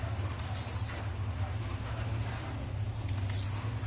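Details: Blue-black grassquit singing in the metralha style: two short high sweeping notes that slide downward, about three seconds apart, over a steady low hum.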